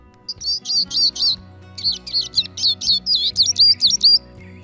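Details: Eurasian siskin (Spinus spinus) song: a fast, high twitter of chirps and slurred, wheezy notes in two bursts, with soft background music throughout.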